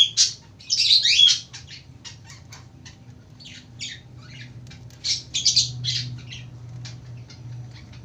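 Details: Lovebird in long-duration ngekek chattering: rapid high, thin chirps and grating squawks in uneven runs, with loud bursts at the start and again midway, over a faint low hum.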